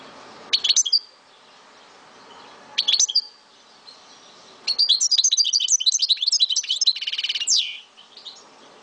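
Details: Pet European goldfinch from Souk Ahras, Algeria, singing two brief bright twittering bursts, a pause, then a long rapid run of high tinkling notes ending in a buzzy trill and a slurred whistle.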